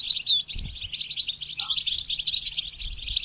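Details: A short burst of goldfinch song for training, opening with a bright falling whistle and continuing as fast, buzzy high twittering.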